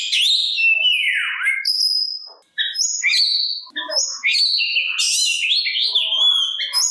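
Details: Oriental magpie-robin (kacer) singing to tempt other magpie-robins to respond and raise aggression: slurred descending whistle, then varied chirps, clicks and stepped whistled notes in a dense, rambling stream.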